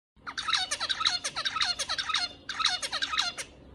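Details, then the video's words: A white finch sings rapid bursts of bright, chattering notes, many falling in pitch, in two runs separated by a short pause. "White finch singing"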